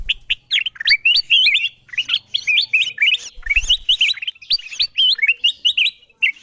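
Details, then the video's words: Kutilang emas, a bulbul, in a lure recording meant to attract wild birds: dense streams of bright, slurred chirps and whistles that overlap, with brief pauses and a faint low hum early on. "Suara pikat kutilang emas memanggil burung liar paling ampuh dan paling di cari"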